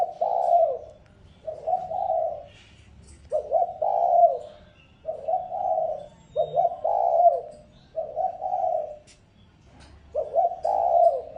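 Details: Repeated lure calling of a decoy spotted dove meant to provoke wild birds: about eight low, mellow coo phrases in a steady series every second or so, each starting with a short catch before a rolling note.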